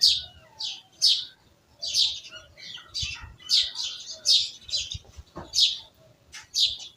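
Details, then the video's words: Village bird chorus of shrill, quick chirps repeated steadily about twice a second, several birds calling over one another, with faint low rumbles in the background. "Village Birds Chirping"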